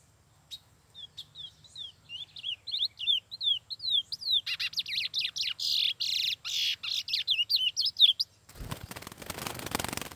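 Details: A trained chestnut-bellied seed finch (curió) sings clear, sweeping whistled notes that rise and fall, then speeds into a denser, slurred, warbling phrase; a burst of rough noise follows at the end.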